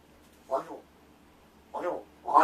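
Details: Indoors, a rescued captive large-billed crow rehearses calls and words as its owner feigns sleep; one short raspy caw followed after a pause by two louder harsh caws in quick succession.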